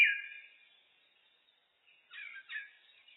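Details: Common blackbird (Turdus merula) song, looped: a loud opening note fading away, a near-silent gap, then two short warbled phrases just after two seconds.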